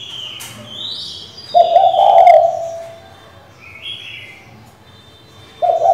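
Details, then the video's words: Female spotted dove calling to the male to stir a decoy: one low, breathy coo in the middle and the start of another at the end, among repeated high whistled notes from other birds. "Cu gái mái gáy, gù, thúc,... kích bổi cực hay, bổi mở mỏ ngay!"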